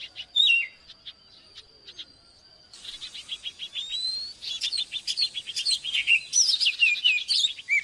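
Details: Morning song of an oriental magpie-robin, used to train caged birds: a faint steady whine and a few chirps give way to quick, dense whistled and twittering phrases that grow louder and more varied toward the end.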